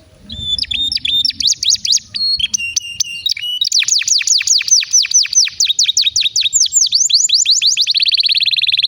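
A canary sings a long, fast song: rapid repeated downslurred notes, sweet trills and chirps, ending in a dense buzzy rattle, all high-pitched.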